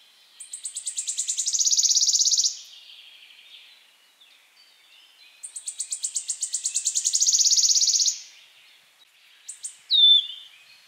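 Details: Singing Wood Warbler gives two long, high, accelerating ticking trills that build to a buzzy, shivering climax, each about two seconds long, then a single loud, falling piped note.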